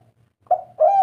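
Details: Spotted dove of the 'kuk 3' type, a bird said in Indonesian legend to be kept by kings and sultans. Two short, low, hollow coos follow a brief pause, the second longer and slightly rising.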